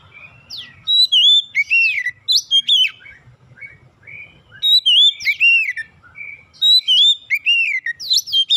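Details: Oriental magpie-robin song meant to get other magpie-robins singing, three rich whistled phrases mixing bright slurred notes, downsweeps and high chirps, repeated every two to three seconds over a faint low rumble.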